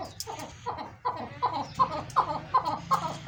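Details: Captive chukar partridge from a breeding pair of big-sized birds, giving a rhythmic series of clucking chuk notes repeated about three times a second, rising in strength, with low hum in the background.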